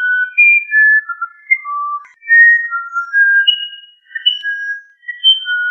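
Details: Musician wren song: a continuous run of pure whistled notes, each held briefly at a different pitch, stepping up and down in a melodic, flute-like phrase with short gaps and no other sounds.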